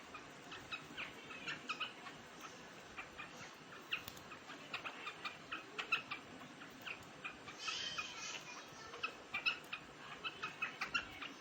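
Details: Big quail eating grain during summer, 3.7.2021: soft, short chipping notes repeated irregularly through the clip, with a brief rushing hiss near the middle and constant low room noise.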